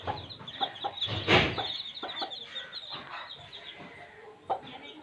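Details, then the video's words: Baby chicks chirping in a village, thin high peeps over scattered low clucks. A loud rustling burst comes early, and some background noise is present. "Baby chicks sound effect"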